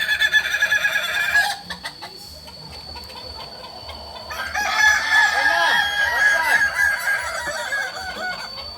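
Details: Group crowing practice of Kokok Balenggek chickens at Amko, Solok city: a loud crow ends abruptly after a second and a half. After a quieter gap, several roosters crow at once with multi-stepped, wavering notes and rising-falling bends.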